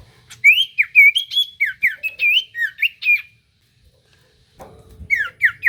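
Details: Common iora singing a lure song that prompts other ioras to answer: a steady string of loud, clear whistled notes, each swooping up or down, with a short pause and a brief low rumble.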